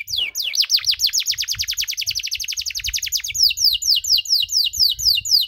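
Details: Canary performing long cengkok song meant to provoke other canaries: a very fast series of high descending whistles, slowing slightly midway into broader falling notes, continuous and loud.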